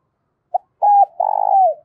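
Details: Spotted dove kept as a decoy calls its flock in the morning: a quick pip, a flat short coo, then a long buzzing coo that gently falls away.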